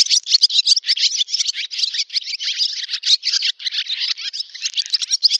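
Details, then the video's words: Loud, unbroken barn swallow song recorded in a Russian village in Novgorod oblast on 8 August 2013: a continuous stream of rapid twittering and chattering notes. "Ласточка-касатка, или деревенская ласточка Hirundo rustica, летняя песня / Barn swallow song"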